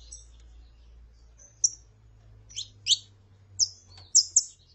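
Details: Saffron finch female calling with a singing male: sparse thin high notes at first, then crisp doubled chirps and a pair of ringing whistled notes near the end over a low steady hum.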